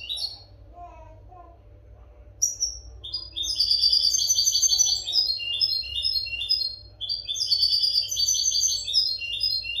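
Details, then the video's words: Captive-training recording of European goldfinch song: a few scattered chirps, then long flowing phrases of rapid, bright, buzzy twittering and tinkling trills, with a short break near seven seconds, over a low hum. "audio pará educar a los jilgueros sin errores"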